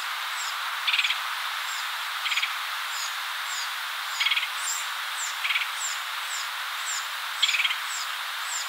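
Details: Red-headed Woodpecker at its nest feeding a chick in Cook County, Illinois, in spring 2020: five short, harsh rattling bursts at uneven intervals, about every one to two seconds, over a steady run of faint, high chirps.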